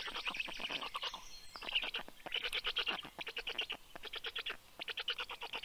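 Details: Black stork at a nest camera in Karula National Park, southern Estonia, 19 June 2023, 6:06 am, as the male leaves and the female arrives with breakfast for the chicks. Rapid rattling pulse bursts, high and dry, in several runs with short gaps.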